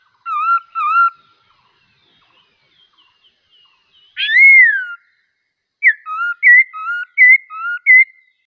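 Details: Bulbul giving paired wavering whistles, a quiet gap, one strong rising whistle, then a quick series of short two-part whistled notes repeated at a regular pace.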